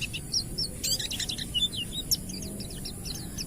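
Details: Oriental white-eye of the ngalas type singing, a recording used to prompt untrained white-eyes to sing; rapid high thin chirps and short downslurred whistles, with a brief dense burst of notes near the middle.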